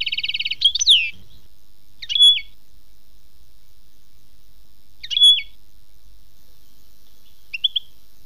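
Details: Goldfinch song, khmis melyana style: it opens with a fast metallic trill, then gives separate clipped, slurred twitter phrases spaced a few seconds apart, the last one soft. Low hum in the background.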